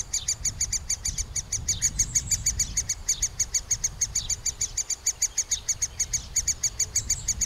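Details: Feeding time at a middle spotted woodpecker nest: the young give rapid, regular high chirps throughout, over a low background rumble, recorded with a Panasonic FZ 2000.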